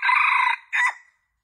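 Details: Junglefowl male crowing, used as a lure call to attract males: a long harsh buzzy first note, then a short gap and a shorter falling note, fading out cleanly.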